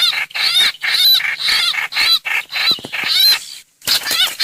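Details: Streak-eared bulbul hoành hoạch lure call, a dense run of raspy, chattering notes with curved harmonic strokes, broken by a short gap near the end.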